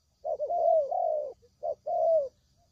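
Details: Spotted dove lure call for trapping: a long wavering low coo followed by a short note and a drawn-out falling coo, clear with no other sounds.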